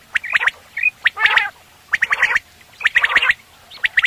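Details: Quail calling in the morning, used for hunting: rough, squawky bursts of about three quick notes, repeated roughly once a second, with short whistled touches between the groups.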